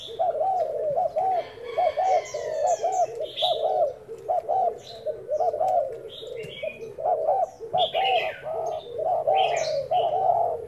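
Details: Decoy spotted dove cooing during a tryout: runs of arched, mid-pitched coos in uneven bursts, with faint twittering from other birds overhead.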